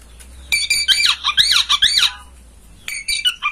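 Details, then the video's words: Oriental magpie-robin master song to coax a bird into tail-fanning song: a rapid run of harsh, nasal, buzzy notes, then a pause and a brief second burst. "Masteran kacer agar ngobra"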